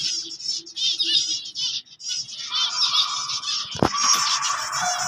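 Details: White finch chicks calling: fast high buzzy chatter in bursts, a brief pause, then a sharp click followed by a lower steady harsh tone under continued chirping.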